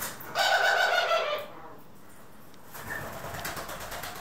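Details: A single sustained coo, mellow and tonal, lasting about one second, from pet doves (Ringneck, Senegal and hybrids) on April 25, 2021. It is followed by quiet room noise and faint rustling.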